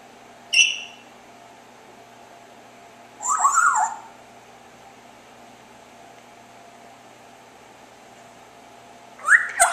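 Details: Chirping from a pet parrot kept indoors: three separate bursts, a brief high whistle, a longer squeaky warbled chirp, then a final rising chirp, with long quiet gaps and a faint steady hum between.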